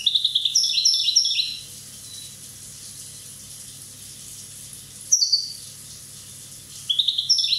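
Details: One-year-old Corsican European goldfinch singing quick liquid twittering phrases, a busy run of high chirps at the start, then a short burst and another rapid tinkling phrase after a long quiet gap.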